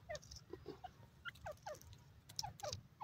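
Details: Grey francolin (bhura teetar) giving short, sharp, downward-slurred notes in loose clusters over about three seconds, with a low rumbling background and a few faint high ticks.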